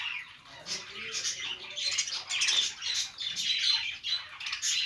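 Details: Budgies at play giving happy, scratchy warbling chatter, with overlapping chirps and sharper squawks rising and falling in bursts throughout.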